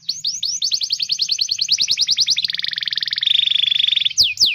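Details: Canary singing as a training tutor for young canaries and ones that have stopped singing: quick high whistled notes, then fast rattling trills, a lower buzzy trill, and sweeping descending whistles at the end.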